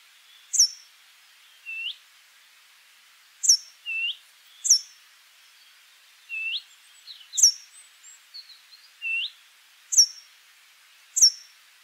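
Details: Brambling song: sharp high downslurred notes mixed with lower hooked whistles, given irregularly over twelve seconds, with a brief cluster of soft twittering notes midway.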